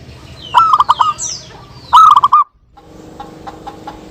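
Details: Local zebra doves exchange two brief bursts of rapid cooing notes for luring, with downward-sliding chirps from other birds, then a faint steady hum and soft ticking after a sudden cut.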